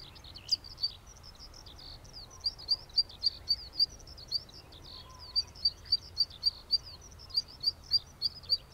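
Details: Zitting cisticola recorded with a Sony A7R4A camera and 200-600mm lens: sharp, high, clipped 'zit' notes repeated at an even pace, about three or four per second, in two runs separated by a short pause, over faint background noise.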